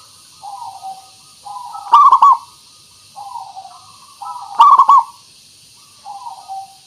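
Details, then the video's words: Zebra dove, local bird, singing to lure others into answering: soft hummed coos build into two loud stuttering coo phrases, then trail off softly. "Suara Pancingan Burung Perkutut Pikat Paling Bagus Supaya Bunyi"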